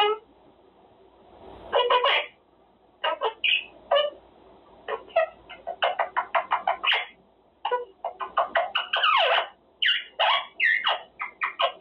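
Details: Pet Quaker parrot practicing words during cage time, scattered raspy syllables building into quicker chatter and squeaky speech-like phrases toward the end, with faint room noise.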